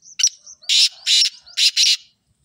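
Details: Black francolin's harsh call: a clipped squeaky note, then two pairs of loud, broad, scratchy bursts repeated at an even pace.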